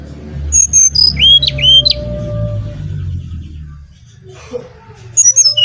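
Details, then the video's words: Brown-chested jungle flycatcher from Bali, in full song for luring other birds: clear high whistles and slurred notes stepping downward, a pause with faint low hum, then a further burst of high whistled notes. "Burung Sikatan Rimba Dada Coklat Bali Gacor Nyuling Untuk Pancingan SRDC"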